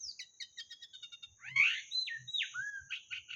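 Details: Lure recording of white-rumped shama song: a few soft chips open it, then come loud whistled notes that swoop down and bend, with short sliding phrases near the end.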